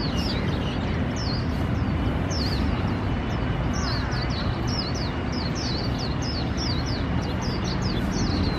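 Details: Swinhoe's white-eye singing in a park in Taipei: thin, high twittering of short downslurred chirps repeated steadily throughout, over a constant low rumbling background.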